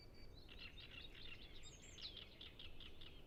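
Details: Great reed warblers, many singing, on the reedy shore of Lake Peipus at Ema-Joe Suursoo Nature Reserve: harsh, grating notes repeated several times a second over a low rumble, with a brief high thin whistle from another bird.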